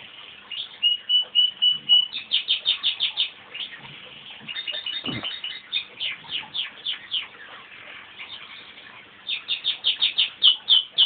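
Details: A pet male crossbred canary, started off by a human whistle, sings a bright, high, varied song: a short sustained whistle, then fast rattling trills and rapid repeated chirps, about four notes a second.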